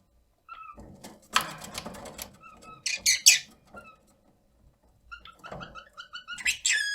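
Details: A 1-year-9-month-old rosy-faced lovebird indoors gives shrill, piercing contact calls in short bursts, calling out for company, mixed with softer chattering notes and brief whistles.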